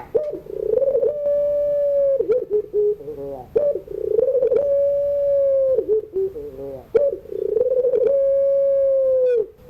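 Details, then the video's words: Afternoon pelung cooing of a Barbary dove, meant for teaching young songbirds: three long calls, each a gurgling roll leading into a sustained, even low note that drops away, with brief warbling between phrases. "tangisan suara puter pelung sore hari, pas buat pacingan burung yg lagi belajar bunyi"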